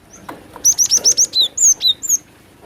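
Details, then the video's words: Cinereous tit, female voice used as a bird-trapping lure: a quick run of about eight thin, very high notes, then a few lower slurred notes. The background is quiet. "Suara pikat burung glatik batu dengan suara betina"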